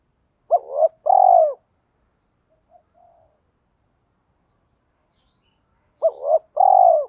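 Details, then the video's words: Spotted dove urging coo for training captive birds to call. Two brief two-part bursts about five seconds apart. Each has a quick hoot and a rising murmur, then a pulsing purr. A soft faint note sounds in the quiet middle. "Tiếng chim cu gáy thúc rút chim cảnh bổi nhanh gáy và về cội nhanh hơn"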